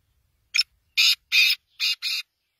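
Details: A black francolin gives its loud rasping phrase, a brief opening note followed by two long buzzy notes and a closing pair, all harsh and wide-ranging, with nothing else audible.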